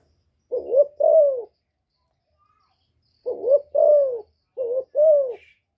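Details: Kept female spotted dove cooing to stimulate newly kept males: low, mellow paired coos, each a short note then a longer falling one, repeated in three phrases with clean silent gaps.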